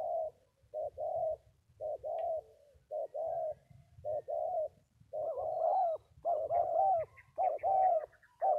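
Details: Spotted dove, two birds described locally as 'bổi thổ', delivering low, hollow coos in short bursts, with pauses between groups and the later notes fuller and louder, over a faint low rumble.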